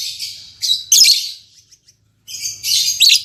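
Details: Albino MM male and lutino MM female lovebird, just paired in captivity, producing dense scratchy high-pitched chatter in two bursts with a silent pause between.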